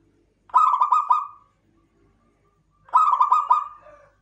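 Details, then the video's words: Local zebra dove of the klowongan type cooing twice, about two and a half seconds apart. Each phrase is a rolling series of rapid bubbly notes that fades into a drawn-out tail. The surroundings are otherwise still. "PERKUTUT LOKAL KLOWONGAN"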